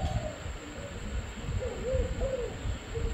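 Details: Spotted dove: a few brief, soft, hollow coo notes in quick succession, partly buried in heavy low-pitched background rumble.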